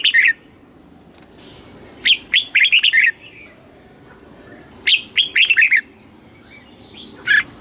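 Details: Thai caged red-whiskered bulbul in southern master-style song for stimulating birds: lively bursts of five or six quick rising and dropping whistled notes, repeated roughly every three seconds, soft thin whistles in the background.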